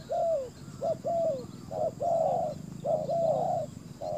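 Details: Spotted dove used as a ground decoy to attract wild doves, loud mellow coos in quick series with slightly falling short notes and longer slurred ones, close and clear.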